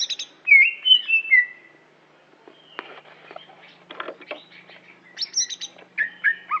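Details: Aceh greater green leafbird, a caged contest bird, sings looping high whistles, pauses, then gives softer scratchy notes and another run of quick bright chirps and whistles.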